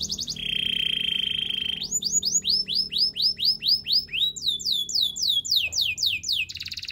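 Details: Canary song for training, opening with a steady rolling trill, then a long series of evenly repeated rising-then-falling whistled notes about four per second; a faint low hum underneath.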